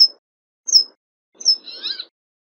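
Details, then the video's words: Brambling uttering three thin, high falling notes, the last running into a buzzy, nasal, wavering phrase, with faint low noise underneath. "صوت الشرشور الجبلي او الحسون الجبلي"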